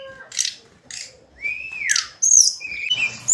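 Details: Hill blue flycatcher daily singing: sparse high notes, then a long whistled slur rising and falling, followed by sharp high chirps and a thin whistle.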